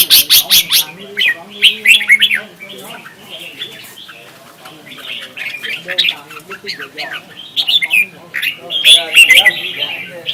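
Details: Red-whiskered bulbul duel singing, used as lure sound to train and excite other birds: a busy, continuous stream of quick chirped and whistled notes, several voices overlapping, with a low humming tone underneath.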